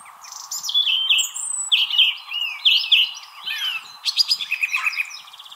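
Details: Loud song of a song thrush perched in a tree, Wrestlingworth, Bedfordshire, UK, April 2021, rivalling a nearby thrush; camera microphones. Clear whistled phrases, a few repeated, then a fast trilled series of sharp notes, above a faint hum.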